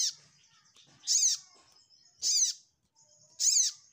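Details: Ruby-cheeked sunbird, locally sogok ontong, calling for a rival: three loud rasping high notes, each sweeping up then down, about 1.2 seconds apart, over a quiet background.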